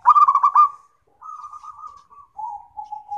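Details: Perkutut lokal, a zebra dove, song used for therapy and for tutoring other birds: a loud quick trill of rolled notes, then a softer wavering coo and a final low steady tone.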